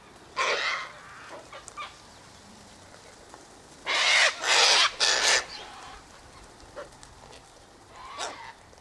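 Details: Sulphur-crested Cockatoos in a flock at a seed-feeding spot by the eastern gate; a single coarse squawk opens, then three loud back-to-back screeches midway and a fainter call near the close.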